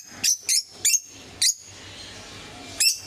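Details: Lovebirds of several colour mutations, kept at home, utter five piercing, high squeaky chirps, four in quick succession in the first second and a half, then a last one after a quiet gap.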